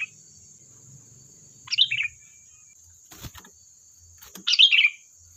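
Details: Sooty-headed bulbul used as a lure to provoke replies: two bubbly descending phrases a few seconds apart, separated by a brief dull knock, with a faint constant high tone.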